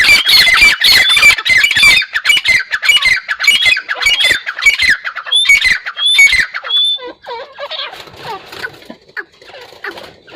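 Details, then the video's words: Partridge (teetar) calling: loud, harsh, squawking bursts about twice per second, with shrill whistled notes inside each burst, for about six seconds. Softer, lower, sweeping calls follow after the series. "Teetar awaz | Teetar sound | Teetar voice | Teetar ki awaaz"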